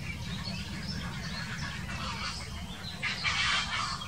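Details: Grey herons quarrelling, recorded in 2018: a few harsh, broadband squawks build up late, loudest near the end, over a steady low rumble of background noise.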